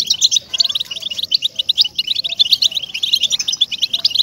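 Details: European goldfinch song intended to get captive goldfinches singing; quick bursts of liquid, high chirps and twitters in a lively, jumbled sequence, with faint lower whistles beneath.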